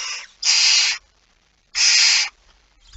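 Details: At a nest during feeding, a barn owl gives two long, rasping hiss-screeches of about half a second each, separated by a quiet gap, with the tail of another screech at the start; recorded 19 September 2019, 05:28.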